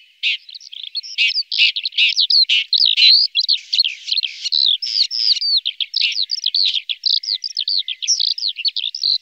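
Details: Red-backed shrike from central Brabant, where it is doing especially well, gives a rapid, scratchy, chattering warble of varied short notes packed closely together, with barely a pause over nine seconds and no other clear sounds.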